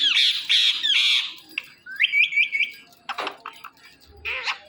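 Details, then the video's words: Pet Indian ringneck parakeet letting out three harsh high squawks, then a quick trill of rising chirps and scattered softer clicks and notes. "Funny Indian Ringneck Talking Parrot"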